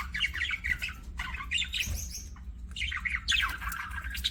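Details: Budgerigar chirping: rapid bursts of scratchy, warbling chatter in short clusters with brief gaps, a steady low hum underneath.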